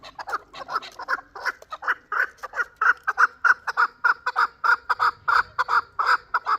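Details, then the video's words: Chukar partridge of Shurobod, last year's chick, calling with a steady string of throaty chuck notes that grow louder and more regular, roughly two to three each second. "Кабки Кавоки Шуробод"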